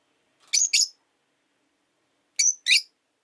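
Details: Caged rosy-faced lovebirds, three housed together indoors, utter two pairs of harsh, high double chirps separated by nearly two seconds of quiet.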